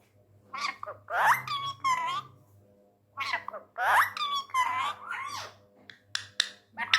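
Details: Tame male Indian ringneck parrot, angry, talking in Urdu/Hindi indoors: two matching raspy speech-like phrases repeated about three seconds apart, over clicks and a low room hum.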